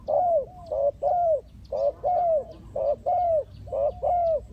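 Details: A spotted dove calls in a trapping setup meant to lure wild doves: rounded, slightly falling coos in pairs, repeated about every second, loud and clear over quiet surroundings.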